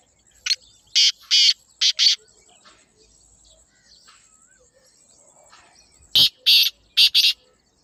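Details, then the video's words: Black francolin (kala teetar) calling: two grating phrases of about five harsh, rasping, evenly spaced notes each, one near the start and one near the end, with a quiet gap between; a faint steady high hiss runs throughout. "کالے تیتر کی آواز | Black Francolin Beautiful Call"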